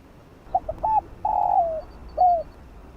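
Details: Fast 'giọng đồng' field-style calling coo of a spotted dove, used to rouse decoy birds in trapping. Two short notes and a brief coo lead into a long drawn coo that slurs down, ending with a separate shorter coo.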